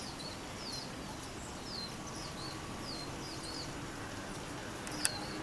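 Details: Lesser goldfinch (Spinus psaltria) recorded 4 June 2020 in Manizales, Colombia: faint, high, slurred twittering notes in a loose run over steady background hiss, with one sharp click near the end.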